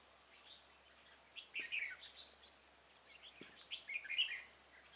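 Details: Decoy red-whiskered bulbul singing during a trapping session for wild bulbuls, 26 February 2018; two bursts of quick chirpy, warbling notes separated by a pause, with soft clicks and low background hiss.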